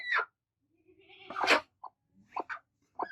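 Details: Two angry broody hens attacking: a harsh, rasping squawk falling in pitch, a long buzzy growl, then short sharp clucks and a final rising squawk.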